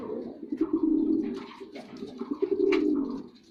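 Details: Low, throaty, continuous coos from a performing male white pigeon indoors, rolling on with little break and a faint sharp tap partway through.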